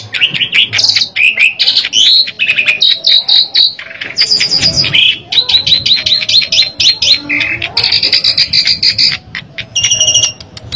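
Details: Asian pied starling singing nonstop, played to draw out another bird's song: chattering runs, rising whistles and long buzzy stretches packed closely together.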